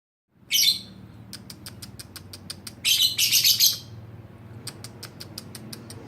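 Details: Young pastel blue lovebird, two and a half months old, practised alongside an adult lovebird and showing fairly good fighter-style singing: harsh, buzzy high bursts separated by rapid ticking pulses, repeated quickly in a small indoor room.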